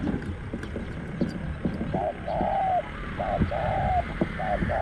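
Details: Spotted Dove coos at a luring spot where a caged decoy draws a wild dove described as small-voiced and aggressive. Muffled rustling first, then three or four mellow, level coo notes, the longest slightly falling at its end.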